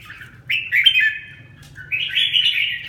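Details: Red-whiskered bulbul, a kept bird in recovery, gives a clear, slurred warbled phrase, pauses briefly, then a second rolling, fluty phrase, with a faint low hum in the background.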